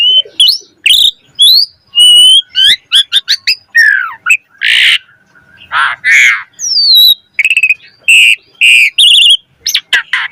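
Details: Loud, busy Black-collared starling song meant to train other starlings, packed with quick whistles, harsh squawky bursts, buzzy trills and rising slurs delivered in rapid succession.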